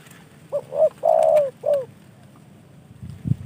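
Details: A kept spotted dove, a gift from a fellow hobbyist, gives one cooing phrase: two short rising coos, a long level coo, then a short falling coo. The background is quiet apart from a soft thump at the end.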